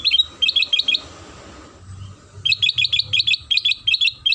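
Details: Sooty-headed bulbul song used as a lure to make other bulbuls sing: quick bursts of bright, chirpy notes, about four to six per burst, separated by a pause of roughly a second and a half.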